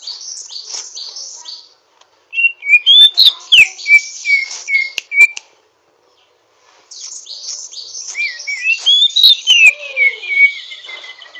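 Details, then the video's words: Greater green leafbird, a young bird learning to sing, giving rough twittering song: bursts of high buzzy chatter and sliding whistled notes, a pause of about two seconds, then another run of mixed chirps and whistles. "Burung cucak ijo ngriwik kasar belajar gacor"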